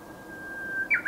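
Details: Japanese bush warbler song: a long, steady, pure whistled note held for about half a second, then two short, louder, rising and falling flourishes at the end.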